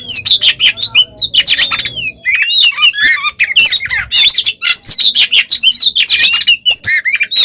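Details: Fighting song of an oriental magpie-robin, played as bait to make other birds react: continuous rich medley of sweet whistles, rising and falling slurs and scratchy notes, with a low hum fading after two seconds.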